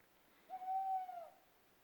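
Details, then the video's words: Single long, smooth hoot from an owl recorded in Europe, lasting nearly a second, steady in pitch with a gentle rise and fall, in a still, quiet setting. "What is the owl making the sound?"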